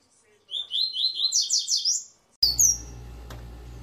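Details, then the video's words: Captive Double-collared Seedeater, the coleira tui tui or zel zel song style, kept by a bird breeder: a quick run of about eight sharp, high chirped notes rising and falling, then a sudden clatter and a short squeaky note. "COLEIRA TUI TUI ZEL ZEL"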